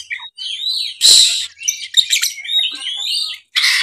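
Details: Oriental magpie-robin singing a full, energetic rival-challenging song; fast varied chatter of whistles, buzzy bursts and high sweeping notes, delivered almost without pause.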